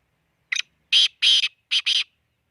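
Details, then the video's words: Black francolin (kala teeter) calling: a loud, harsh, grating phrase of five rasping notes, a short first note followed by two longer strained notes and a final quick pair, over about one and a half seconds against silence. "kala teeter ki awaz"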